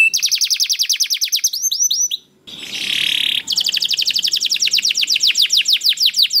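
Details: Canary singing, played so other canaries answer: rapid trills, a short break and a hissing buzzy stretch, then a long fast roll of rising notes.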